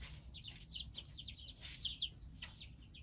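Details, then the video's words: Chicks of three hatches, weeks apart, peep busily: rapid short high chirps in clusters, some louder doubled notes, with occasional soft knocks and a low hum beneath. "Chicks Chicks Chicks!!!"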